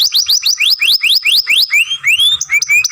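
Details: Masteran song from a young canary, long grumbling phrases: rapid repeated rising sweeps, roughly seven per second, slowing into longer drawn-out upward whistles near the end.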